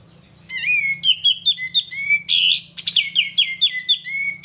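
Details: Lure song of a male sooty-headed bulbul: loud, lively whistled phrases of slurred rising notes repeated rapidly for about four seconds, with one harsh noisy burst midway.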